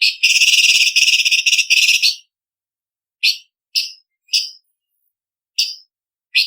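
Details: Cucak cungkok, blue-winged leafbird, in a contest-training recording of sharp varied song: an opening two-second burst of dense, rattling high notes, then short upward-swept whistled notes spaced roughly every half second, with silence between.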